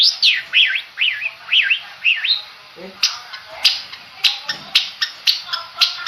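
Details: Long-tailed shrike from Madura, kept for song contests, opening with five clear whistled notes that each dip and rise. These give way to dry clicks and short rasping chips repeated about twice a second.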